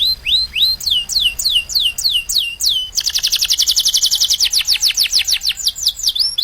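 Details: Canary song used as a training song for caged birds: a series of high, downward-swept whistles, then a rapid run of high, clipped trills at about eight per second.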